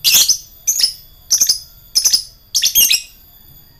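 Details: Lovebird in ngekek style meant to rile rivals: loud, harsh, buzzy bursts of shrill chattering, each about a third of a second long, coming in five groups over four seconds.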